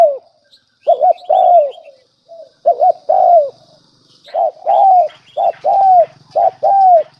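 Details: Decoy spotted dove giving lure calls: repeated phrases of a quick double coo and a longer, downward-sliding coo that come faster toward the end, with faint high chirping and a light low hum.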